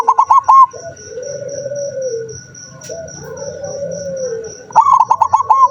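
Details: Zebra dove (perkutut), recorded 7 November 2023, a bird that rarely sings: a burst of quick staccato mid-pitched coos opens and closes the stretch, with softer wavering low coos between and a steady pulsing high tone behind.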